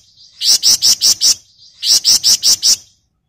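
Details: A gacor flamboyan bird in a dense, rattling 'ngebren nyerecet' delivery gives two loud bursts of five or six harsh, high, scratchy chirps in quick succession, separated by a short pause.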